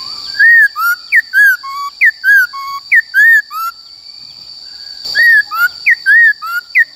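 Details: Caged Khướu bạc má giving forest-style training song: rich whistled phrases of arched and downslurred notes in two bursts separated by a pause of about a second and a half, with a steady high whine throughout.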